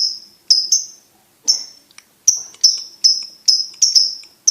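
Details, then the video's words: Champion contest lovebird with piercing, ringing chirps, first in pairs, then after a brief gap a steady fast series of loud high notes, each fading quickly. "SUARA BURUNG LOVEBIRD/LABET JALAL JUARA"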